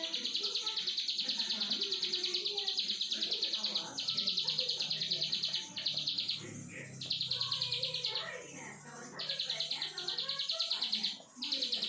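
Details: Plain prinia delivering its continuous 'brenn' song, locally called ciblek sawah: several long runs of rapid high-pitched buzzy notes separated by short pauses, with low background noise throughout.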